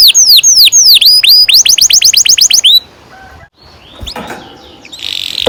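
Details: Canary song for teaching young canaries: looping falling whistles give way to a quick run of high repeated notes lasting under three seconds. After that comes quiet, then muffled noises.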